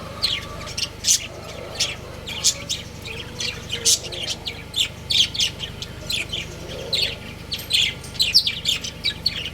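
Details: Budgerigar breeding pair kept as pets, chattering almost nonstop: dense, rapid, high chirps and squeaky twitters follow one another with little pause, over a faint steady hum.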